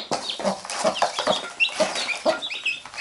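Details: Mother hen tending chicks that bite her, the hen picking at them: evenly spaced low clucks, about three per second, with scattered thin chick peeps above.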